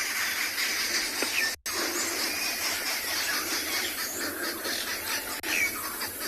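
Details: Several Arrow-marked Babblers on an African safari shout at each other and possibly at observers, agitated by a nearby eagle and owl fighting: harsh, rasping, overlapping chatter without pause, with a few thin whistles in the background.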